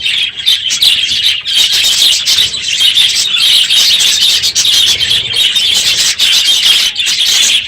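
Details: Loud morning chorus from a full budgerigar aviary late in the breeding season; dense, unrelenting high-pitched chattering and chirping from many birds at once.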